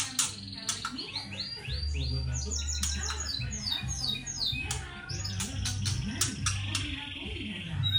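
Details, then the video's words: Young white-rumped shama, one and a half months old, giving crackling 'kretekan' chatter used to provoke other birds: dense bursts of quick high descending chirps and ticks, with a low steady hum beneath. "Kretekan trotol 1.5 bulan cocok untuk memancing emosi"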